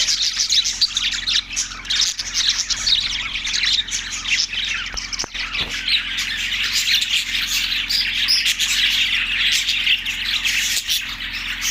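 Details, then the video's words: Budgerigars from Larkana, Sindh, March 14, 2024: a long run of scratchy squawks and shrill chatter from many birds, a faint hum and a few clicks in the background. "budgies chirping sound effect"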